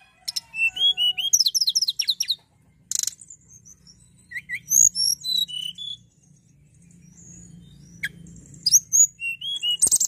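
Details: Hill prinia singing in a lively, prolific style: rapid high chirps, short whistled notes and trills in varied bursts of about a second, separated by brief pauses.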